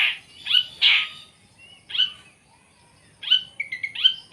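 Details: Long-tailed shrike uttering harsh, loud squawked notes spaced by silences, ending in a short run of quick piping notes and rasping calls.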